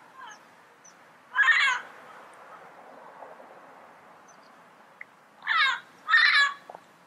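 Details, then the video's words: Yellow-headed amazon uttering three coarse, scratchy squawks: one early and isolated, then two more in close succession near the end, with quiet between. "Yellow Headed Parrot Sound Bird Call"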